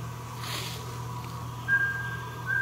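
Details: Mountain scops owl (Taiwan endemic subspecies), recorded at Meinong, Taiwan, on 3 September 2020, giving clear, mid-pitched whistled notes in a paired pattern under a second apart, over a steady low hum.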